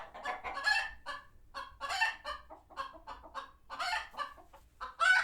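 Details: A flock of sanctuary chickens, alert to a hawk nearby, clucking in quick, staccato bursts with several louder squawks and a sharp cry at the very end.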